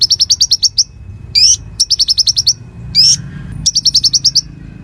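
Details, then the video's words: Konin (Bar-winged Prinia) in full song as tutor material for magpie-robins and competition birds: fast high chip runs alternate with rising buzzy notes about every one to one and a half seconds. "Masteran Konin Gqcor Nembak Full isian Buat Isian Buring kicau"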